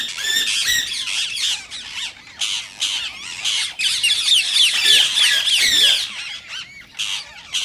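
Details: Harsh, screechy squawks of rose-ringed parakeets, a sound said to encourage other parakeets to sing and mate. Bursts come in rapid overlapping runs, densest in the middle, with short gaps between outbursts.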